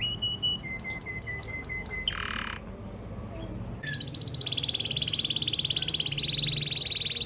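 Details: Syrian local canary singing to teach and encourage chicks to sing: a series of quick clipped double notes, a brief harsh burst, then a long rapid trill of high repeated notes over a low background hum.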